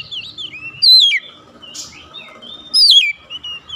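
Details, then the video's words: Oriental magpie-robin calling to other birds, which answer. Two loud whistled phrases slide steeply downward about two seconds apart, with fainter whistled notes from other birds in the background. "KACER MEMANGGIL KAWAN | KACER LAIN LANGSUNG RESPON GACOR"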